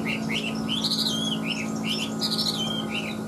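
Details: Pet Chinese hwamei in Vietnam, freshly moulted, sings short rising whistled notes repeated in quick pairs, with a steady low electrical hum beneath.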